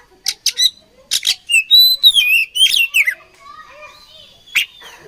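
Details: Oriental magpie-robin in a fight, opening with rapid scratchy chips, then a string of bright whistled slurs rising and dropping, fading into softer low warbles and a last harsh note.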